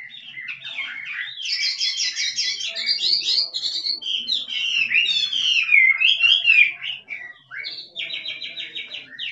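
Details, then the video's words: Kích trống song of a wild Chinese hwamei: a long, varied outpouring of rapid trills, buzzy repeated notes and ringing whistled slurs, briefly pausing before a final run of fast repeated notes. "Chim họa mi rừng kích trống hót cực đỉnh nghe đã tai"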